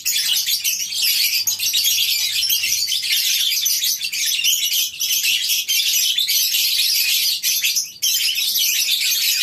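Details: Lovebird colony in a farm aviary at morning time, steady, unbroken shrill chirping from a large group of birds, sharp squeaks poking out of the constant high chatter.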